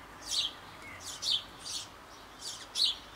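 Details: Sparrow nestlings about to leave a Bavarian nest box on an old apple tree, fed by both parents: four short, harsh, scratchy chirps, each followed by a pause.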